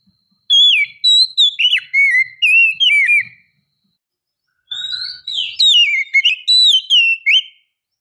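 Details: Whistled calls of a female Oriental magpie-robin drawing in a male. Two phrases of bright, wavering notes with quick downward slurs and twittered grace notes are separated by three seconds of silence.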